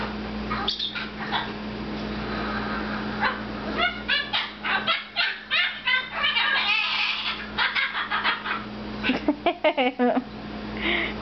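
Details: A male pet red-fronted macaw, perched on a cage, chatters playfully in quick, speech-like bursts of raspy, warbling syllables, some rising, bunching toward the end, over a steady low electrical hum.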